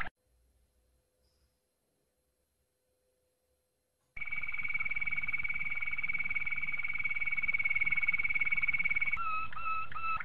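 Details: After a quiet start, a Malinois Waterslager canary gives a long, even, high trill for about five seconds, closing with a few gurgling, water-like sliding notes in its training song.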